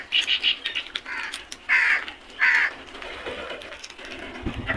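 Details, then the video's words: Crows calling as a flock, giving short clipped caws followed by longer rasping caws, irregularly spaced, fading toward the end. "Flock of crows beautiful sound effect | Crows sounds"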